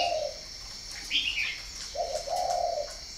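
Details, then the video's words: Farm-bred spotted dove in Ba Vì, northern Vietnam: a short low coo, a pause, then a longer two-part coo. A single high chirp from another bird falls between them. "chim cu gáy hay miền bắc"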